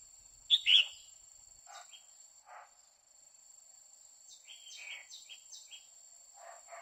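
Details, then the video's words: Singing to arouse a male, a female red-whiskered bulbul opens with two loud, sharp, falling whistled notes. Fainter short chirps and a soft series of descending notes follow, over light high-pitched ticking. "Chào mào mái hót kích trống liên tục Chào Mào mái quých kiu mào mái hót"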